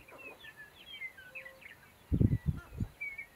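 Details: At a sharp-tailed grouse lek, a scatter of thin high chirps gives way to three loud low gruff bursts in quick succession near the end.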